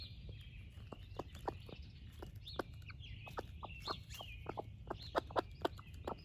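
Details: Splash laced red Wyandotte broody hen gives a long series of short, low clucks, repeated roughly every third of a second, as she shares breakfast with her baby chicks, who peep in high, wavering notes beneath.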